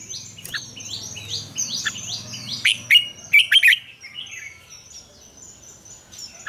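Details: Red-whiskered bulbul morning song, double-note wild style, played as lure song for training; a rapid series of short downslurred whistles, then loud bubbling notes, fading to quiet high chirping.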